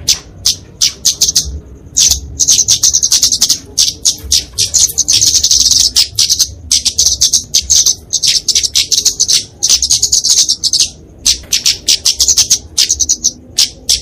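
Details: Sustained kemade fighting song of a flowerpecker, used for training and luring small birds: repeated bursts of very high, rapid chipping trills with short silent gaps, steady and energetic throughout.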